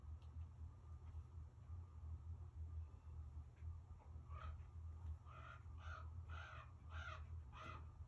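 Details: Common raven in Alaska calling at a person: after quiet low rumbling background, a series of about six harsh, hoarse croaking calls spaced roughly half a second apart in the second half, over steady low hum.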